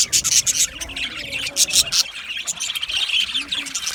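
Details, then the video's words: Budgies singing: bursts of sharp, high squeaky chirps in quick clusters, then softer warbling twitters, lively and irregular over four seconds. "Budgie singing and chirping sounds"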